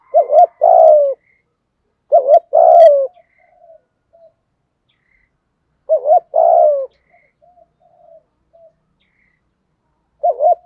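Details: Spotted dove cooing in the thổ voice style, used to call wild doves to the decoy. Low hooted phrases of a quick double note and a longer drawn coo, repeated about every three seconds, with faint soft trailing notes between.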